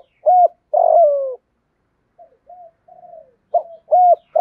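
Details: Spotted dove singing the complete calling, urging and cooing routine to rouse other doves. A long falling coo closes one phrase, soft murmured notes follow, then another burst of rounded coos begins.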